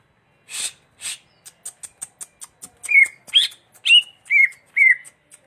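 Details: Greater green leafbird giving clear whistled notes, five slurred phrases about half a second apart, each dipping then rising, preceded by a series of sharp clicks and two soft hissing bursts.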